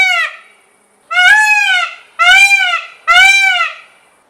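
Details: Three loud, brassy peacock screams, each a short arched wail with rich harmonics, evenly repeated about once a second after a fading first call.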